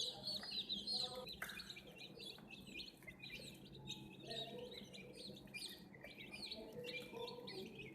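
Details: Many domestic chicken chicks chirping, high thin peeps packed densely and overlapping at a fast irregular rate, with a steady low hum beneath.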